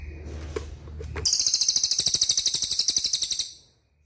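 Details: Cililin training song for caged birds: a few soft chirps over a low hum, then a bright, high, machine-gun-like trill of rapid even notes for about two seconds, fading out.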